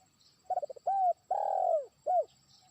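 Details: Trained spotted dove decoy bird calling to a distant rival: a quick stutter of short notes, then two clear bell-like coos and a long drawn-out coo falling at the end, ending with one more short coo.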